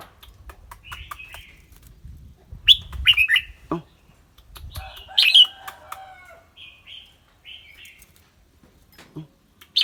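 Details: Red-whiskered bulbul in a cage, bright clear voice, singing and chattering: clusters of quick warbled whistles, some loud and buzzy, over low rumbling handling noise and clicks.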